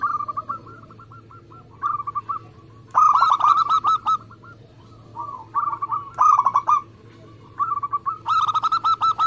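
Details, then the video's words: Local zebra dove singing actively, a recording meant to coax other doves into singing: repeated short phrases of rapid, clipped coo notes, each burst about a second long, with quieter notes between bursts. "Perkutut lokal gacor Speed rapet"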